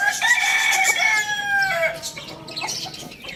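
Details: Loud rooster crow lasting about two seconds, strong harmonic tone that gradually falls in pitch toward the end, followed by scattered chirps from other birds.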